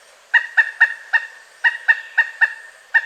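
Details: Pileated woodpecker calling in spaced, emphatic kuk notes, three quick ones, a pause, then a further uneven run, each note clear and resonant against a quiet background.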